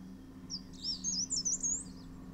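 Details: Male Dark Grey Bush Chat bringing grubs to chicks in a hillside nest in the Himalaya; a brief run of sharp, rapid, high-pitched twittering notes rises in loudness midway, over a quiet low hum.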